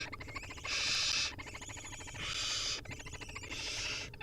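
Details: Wild barn owl nestlings at feeding time, hungry and begging: long harsh hissing screeches, about three in four seconds, separated by rapid clicking and ticking sounds.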